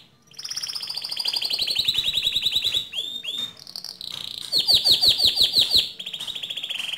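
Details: Canary song aimed at provoking another canary to sing: a long slowly descending rolling trill, a few swooping notes, then a loud bright pulsing trill and a lower rolling finish.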